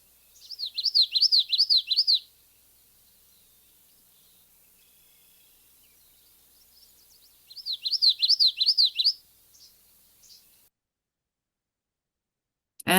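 Common Yellowthroat song: two bursts of rapid, rolling three-note phrases, witchety-witchety-witchety, each about a second and a half long, high and bright, separated by quiet.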